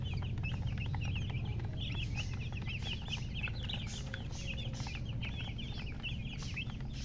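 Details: Several baby chicks call busily, high peeps in quick irregular runs with hooked, down-slurred shapes, overlapping into a chattering chorus, with a low constant rumble beneath and occasional faint clicks.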